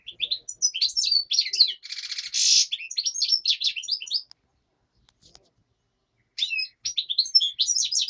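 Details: Daytime song of a black-headed goldfinch with a nightingale reportedly in the background; continuous high twittering and liquid chirps with a harsh buzzy burst near the start, a silent pause of about two seconds, then renewed rapid twittering.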